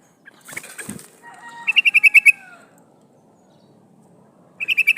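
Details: Female sooty-headed bulbul calling a male, used as a decoy to lure wild birds; wing flapping first, then a soft falling whistle and quick runs of six or seven bright, even chirps, with a low rustling background.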